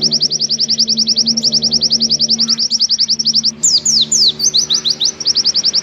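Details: Oriental white-eye sings a long, high, rapid run of sweet repeated notes, about three per second, then varied twittering phrases over a faint low hum; a long, clear tutor song used to teach captive white-eyes.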